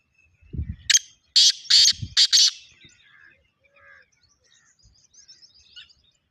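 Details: Black francolin uttering a rapid, scratchy phrase of about five notes, with a few low thumps underneath and soft chirps from other birds fading out afterwards.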